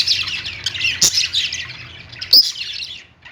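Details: Short burst of budgie perch song: busy high twittering and warbles, with two sharp clicks, fading out near the end.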